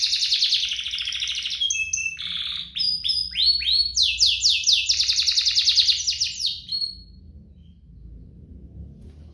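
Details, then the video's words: Duet of canaries meant to lure caged canaries into song and tutor young birds: varied high trills, chirps and steady whistles for about seven seconds, then the song stops and only faint background hiss remains. "Kompilasi DUO GACOR, cocok untuk pancingan kenari biar gacor, masteran kenari paud"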